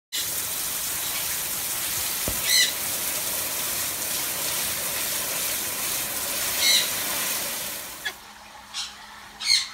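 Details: A galah (Eolophus roseicapilla) having a bath gives short, shrill, screechy squawks every few seconds over steady splashing water that fades near the end.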